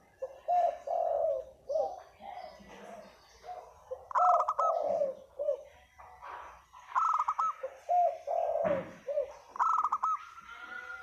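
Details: Spotted dove used as a lure bird, calling a mix of low cooing notes and short buzzy bursts, with several overlapping coos and a rising tone near the end.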